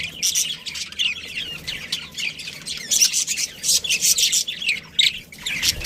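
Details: Budgerigar colony with a breeding pair, caged pet birds: dense, continuous high chirping and warbling chatter from many birds, bursts overlapping throughout with no pauses.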